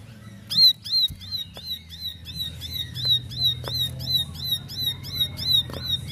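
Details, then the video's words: Bar-winged prinia, known locally as ciblek, answering another bird: rapid series of sharp, high whistled notes repeated about three per second, with low hum and clicking sounds from the room beneath. "Ciblek Bisu Langsung Nyaut Ikut Nembak Nembak"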